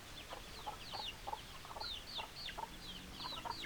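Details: Hens clucking in a flock with roosters present, a dense run of brief, high, falling chirps and short lower clucks, spaced irregularly against a constant hissing background.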